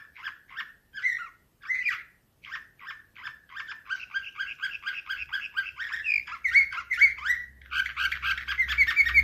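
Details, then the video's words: Canary singing bright, high chirps in quick spaced phrases, then continuous rolling trills and whistles, over a faint low hum. "Uccello dell'usignolo delle Canarie Slavujar"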